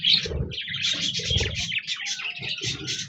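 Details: On 26 January 2024, budgerigars chirp and warble rapidly in a busy, twittering stream of high squeaky notes, with soft low thumps now and then.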